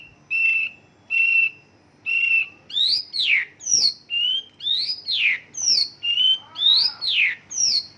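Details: Mongolian lark song filled with local bird phrases, opening with three steady, level whistles, then moving into varied rising and falling slurred notes.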